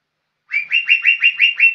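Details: A young green leafbird gives a steady run of seven similar whistled notes, each sliding upward and then holding, repeated about every quarter second after a short silence.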